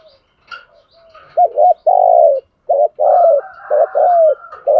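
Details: Spotted dove kept as a decoy for luring wild doves: faint notes, then loud deep coos in a run of short flat notes and long rolling ones, one sliding down in pitch.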